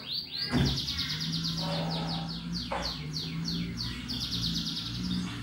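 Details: Singing canary performing the ngetik style, used to prompt other birds into song: a sharp opening note, then long even series of quick repeated high downslurs with a mid-clip swoop, over a continuous low hum.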